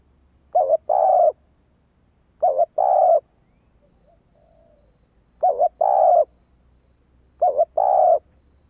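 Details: Female spotted dove uttering the thúc urging call to rouse males into responding: low two-part coos, a quivering short note then a level longer note, repeated about twice each two seconds with a quiet faint coo mid-sequence.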